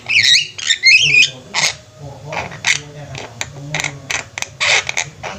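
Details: Javan mynas singing as a flock: a few twisting whistled notes open the passage, followed by scattered harsh squawks and clicks that grow sparser, with a low background hum.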